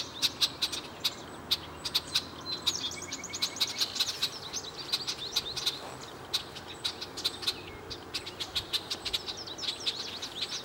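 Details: Red-winged Blackbirds, a male and a female, sit at Chippewa Nature Center making rapid sharp chip notes, mixed with brief high trilled and whistled phrases from other birds.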